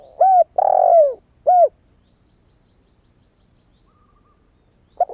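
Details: Lure call of a young spotted dove, newly started and not yet moulted. One phrase: a clear coo, a long vibrating coo that falls in pitch, and a short final coo. A quiet pause follows, then the next phrase begins.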